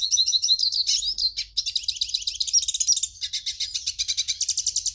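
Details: A hooded siskin sings a fast, continuous twittering song of high, buzzy trills and rapid chirps, with no pauses and no other sounds; the song is played to warm up captive siskins into singing.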